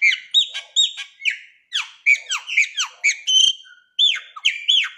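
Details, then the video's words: Chopi blackbird singing to stimulate a pet bird: dense, loud phrases of hooked, downslurred whistles and squawky notes, repeated in quick bursts with brief gaps. "pássaro preto (esquente seu pássaro preto ou Graúna em 6 minutos)"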